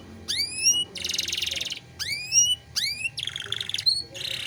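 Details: Canary song for tutoring young songbirds: rising slurred whistles alternate with dense buzzy rattling trills, repeated in short phrases.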